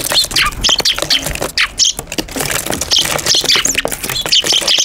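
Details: Eurasian tree sparrows chirp busily on a balcony in Japan on 5 February 2023, with bright, short overlapping notes in quick bursts; a harsher squawk breaks in now and then, on a day a brown-eared bulbul also visited.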